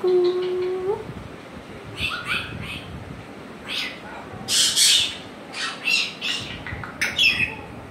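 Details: Pet African grey parrot giving a steady low whistle for about a second, then a series of short, harsh, noisy squawks spaced irregularly over several seconds, with a person's voice nearby.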